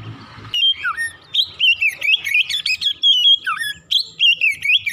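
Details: Oriental magpie-robin (kacer) morning song meant to set birds singing fast and continuously; after a brief low murmur, loud rapid whistled phrases pour out, twisting up and down, with two downward slurs.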